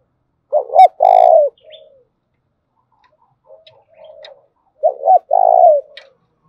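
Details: Spotted dove used as a lure to stir wild doves, "thổ đồng" voice: two coo phrases four seconds apart, each double hoot plus long falling coo, with soft murmurs and faint clicks between.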